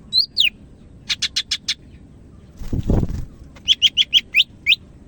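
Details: Greater green leafbird song of the Medan type, a lively, vigorous singer: sharp whistled notes sliding down, a rapid burst of five clipped chirps, a short broadband rustle, then a run of five repeated falling whistles and a final slurred note.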